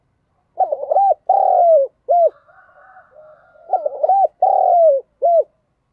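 A spotted dove gives its hoarse, three-part cooing song, repeated twice with a soft pause between.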